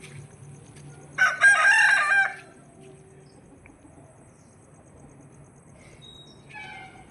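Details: Native desi rooster kept at home crowing once: a loud, harsh, strained crow lasting about one second, then quiet background with faint higher calls near the end.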